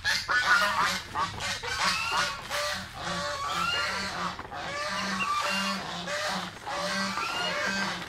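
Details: Several pet geese feeding on mango call repeatedly in overlapping nasal honks and chattering notes, dense and continuous throughout. A low pulsing hum and feeding noise run beneath the calls.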